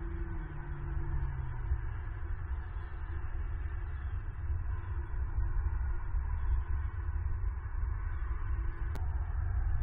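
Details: Deep continuous rumble and hiss with one brief sharp crack near the end, and no animal sounds.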